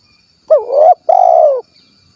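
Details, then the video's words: Spotted dove in the 'kuk 1' style from Cilacap, Central Java. A looping, rising first coo is followed after a pause by a drawn-out, pulsed second coo that slides slightly lower. A faint high whine persists. "SUARA BURUNG TEKUKUR / DERKUKU KUK 1 GACOR"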